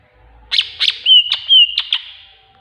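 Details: Greater green leafbird (cucak ijo) singing a master song filled with tengkek buto calls: harsh, buzzy notes alternating with short level whistles, delivered in a quick phrase against a quiet background.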